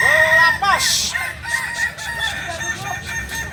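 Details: Kukuak Balenggek rooster, a native chicken breed of Solok, West Sumatra, gives a loud harmonic crow with arched, wavering notes in the first second, then a short noisy burst and softer overlapping crowing.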